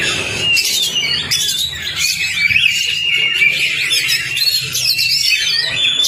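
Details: Oriental magpie-robin song used as a quick trigger and tutor recording to get a silent, non-singing magpie-robin singing. Dense, continuous, high-pitched warbling with rapid varied whistles, trills and squeaky notes running without pause throughout, with low background hum.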